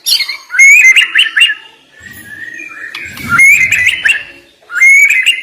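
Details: White-rumped shama (murai batu) delivering sharp 'isian' song meant to fire up reluctant singers: bursts of rich, rapid warbled whistles separated by short gaps, with a faint low rumble in the middle.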